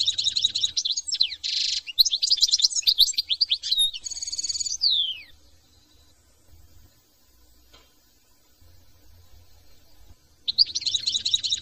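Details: European goldfinch from France in a long, fast tinkling song of high twitters, buzzy trills and sliding whistles for about five seconds, ending in a descending slur, then quiet before the song starts again.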